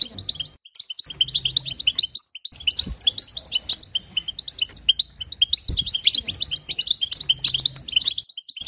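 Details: European goldfinch singing to excite other goldfinches, a long, busy run of tinkling twitters and quick chirps with two short breaks, steady high notes throughout and faint low hum beneath.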